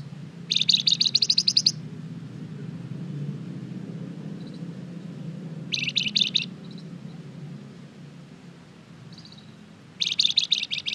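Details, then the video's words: Lure song of a lively golden-bellied gerygone, used to get other birds responding: three bursts of quick, high, rattling notes about four seconds apart, with a steady low rumble in the background. "Suara pancingan burung Flamboyan gacor terbaik , pasti nyaut di masteri Flamboyan GACOR ini"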